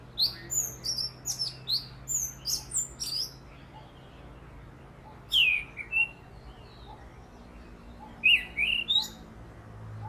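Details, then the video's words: Orange-headed thrush calling at length while perched, its own calls mixed with mimicked calls of other birds: a quick run of about eight sharp, high, down-slurred whistled notes, a pause, then two short clusters of rising and falling notes over a low hum. "Bird calls - Orange Headed Thrush"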